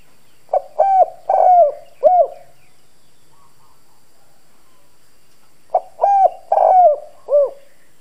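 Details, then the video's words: Spotted dove kept as a decoy, cooing in a hoarse 'đồng' voice to lure wild doves. Two four-note phrases of deep, husky coos about five seconds apart, with soft background bird chirps in the gap. "Cu gáy mồi Cứng Gù giọng đồng khàn kích bổi nhanh nổi. Chim cu gáy thúc gù gáy gọi kích bổi"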